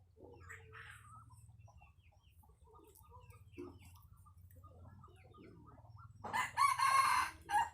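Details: Red junglefowl crowing; faint scattered chirps of other birds, then a loud, harsh, drawn-out crow in several strained pulses near the end over a low steady hum.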